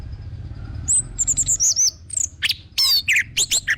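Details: High, piercing whistles and quick trilled flourishes from an orange-headed thrush, a song played as a lure to stimulate other birds to sing, starting after a second of faint hum.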